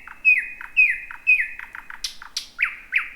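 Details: Thrush nightingale, first one heard in 2026, singing at night around midnight in thick bushes: a run of loud falling whistled notes about twice a second, then sharp clicking notes and slurred chirps.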